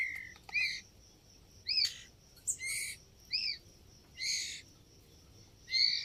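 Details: Young white-rumped shama giving soft, high, separate chirps and short rising notes at irregular intervals a second or so apart, over a quiet background.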